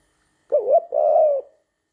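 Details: Spotted dove kept as a pet, a male wooing his owner in spring, 23 September 2019, cooing once: a quavering opening note followed by a longer steady, mellow coo that fades out, with no other sounds.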